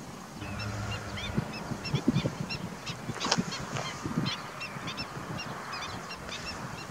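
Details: Ruddy shelducks calling: a busy chorus of nasal, harmonic-rich honks from several birds, overlapping and repeated rapidly throughout, over a steady low rumble of background noise.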